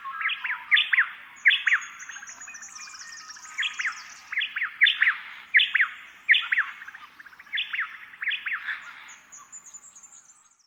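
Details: A pair of White-eared Honeyeaters alternate at dawn, taking turns with short, punchy phrases under a second apart; this is the only song phrase they use in the dawn chorus. A thin, high trill from another bird runs faintly above.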